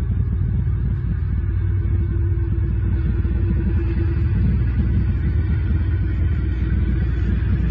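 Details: Steady low rumble like distant traffic or wind fills the whole recording, with no animal calls.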